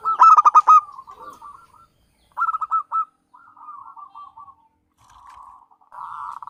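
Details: Javanese local zebra dove lure song for trapping: an emphatic string of sharp coos, then softer rolling purrs, repeated in short phrases separated by silent gaps.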